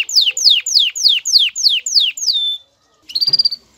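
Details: Excited male canary courting a female toward mating posture: seven loud descending slurred whistles at an even quick pace, a long held note, a pause, then a short rapid trill.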